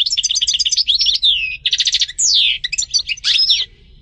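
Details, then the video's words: European goldfinch song: fast twittering with repeated bell-like notes, short buzzy trills and downward-sliding whistles, over a faint low rumble. "Goldfinch singing - canto del cardellino"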